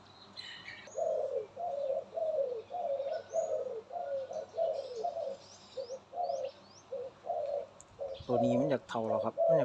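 A dove gives a steady run of soft, low, rolling coos, about two a second. Faint chirps from other birds are heard, and a man speaks at the end.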